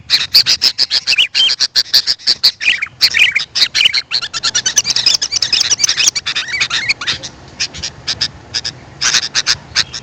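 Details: Sooty-headed bulbul calls played to attract wild birds: dense chattering with short whistled notes early on, then sparser clicks before a final burst.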